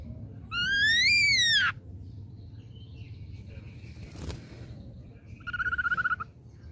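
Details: Young wild-caught ashy drongo giving an arched whistle that climbs and falls, followed after a pause by a faint click and a short, quiet rattling trill.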